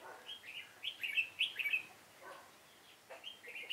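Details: Fighting song of a Red-whiskered bulbul from a trapping session on 7 September 2018: a rapid run of sharp, sweet chirps and warbles, then scattered softer notes and a brief renewed phrase.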